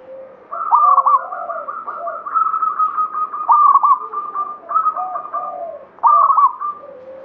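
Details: Several cooing phrases overlap as local zebra doves of the Banyumili katuranggan type sing, the stuttering coos running almost continuously with lower murmured notes beneath.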